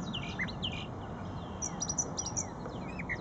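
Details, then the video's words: Brown thrasher song at Shred-It Pond, a brief stretch of scattered high chips and short slurred notes over faint low ambient rumble. "Brown Thrasher Singing"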